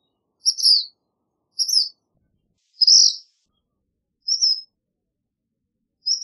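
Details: Black phoebe singing: five short, high, slightly buzzy two-part notes, spaced roughly a second or more apart, in a quiet setting with nothing else heard.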